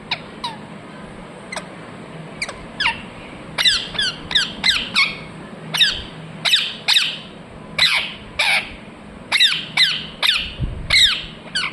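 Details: Ringneck parrot calling in a lively series: scattered single shrieks at first, then a fast run of harsh, descending screeches, many paired, over a low hum.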